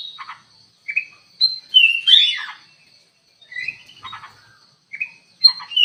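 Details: Lure kutilang emas bulbul in an aviary, singing actively: loud whistled notes and a rich slurred phrase at about two seconds, then separate chirps and whistles with brief gaps.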